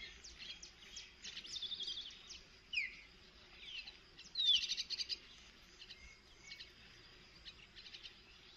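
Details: Myna feeding its baby: harsh, rasping calls and short sharp whistled notes in quick bursts, with brief rising and falling slurs, over a faint steady background hiss.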